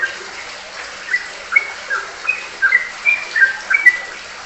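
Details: Sooty-headed bulbul, or trucukan, delivering ropelan song: moderately quiet clear whistles, rising and level notes strung together in quick succession.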